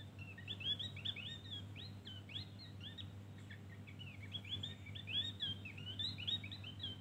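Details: Javan grey-throated white-eye song: a rapid stream of high, bright chirps and short rising-falling whistled notes, busy and twittering, with a steady low hum beneath.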